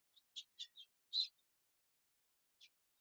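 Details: A female house finch perched on a weather vane in a backyard gives short, bright chirping notes, four quick ones and a louder fifth, then a single chirp after a pause.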